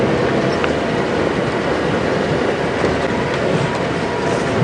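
A loud, steady vehicle engine rumble fills the recording on an evening safari drive, with no animal sound heard.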